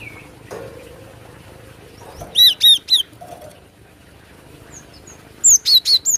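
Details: Cinereous tit song for luring birds: two bursts of four bright, falling whistled notes, each note slurring downward, separated by a few seconds of quiet with soft rustling and a faint wing flutter.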